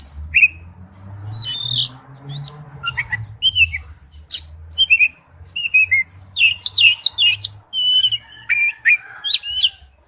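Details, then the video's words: Male oriental magpie-robin calls to a female with varied whistled notes, squeaky slurs and short chirps spread through the clip, over a faint low hum. "tiếng chích chòe than gọi mái/chích chòe than trống kêu"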